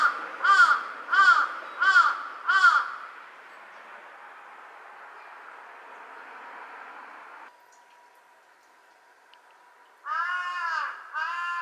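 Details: Large-billed crow perched on a power line in Japan, calling in varied tones around 07:05 on 23 August 2023: four harsh, evenly spaced caws, quiet over a low traffic-like hum, then two more caws in a slightly different tone.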